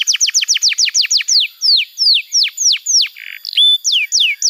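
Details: Canary song used to train young birds: a quick series of high, steeply descending whistles slowing into longer, spaced falling notes, a short harsh burst, then level and curving whistled notes.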